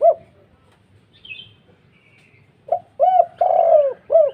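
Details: Spotted dove in a heavy, deep 'kuk 2' call that is said to provoke other doves: one lone coo, a pause with faint high chirps, then a phrase of low hollow coos ending with a long drawn note and a short one.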